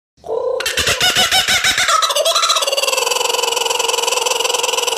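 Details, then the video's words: Kookaburra call opening with a fast burst of harsh, rattling pulses that settle into a steady, rapidly repeated cackling with a strong, nasal, harmonic tone. "Canto de Kookaburra"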